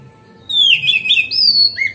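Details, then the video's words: Singing magpie-robin used as a lure to get rival magpie-robins to fan their tails, giving a rich whistled phrase of falling slurred notes that ends in a long, clear sustained whistle. "Pancingan Kacer Gacor Ngeplong Santai Bikin Buka Ekor Kacer Lain"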